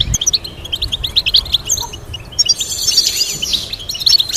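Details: Goldfinch song for training birds: quick series of sharp, evenly spaced chirps, then a harsh buzzy, wheezing passage, followed by more bright twittering.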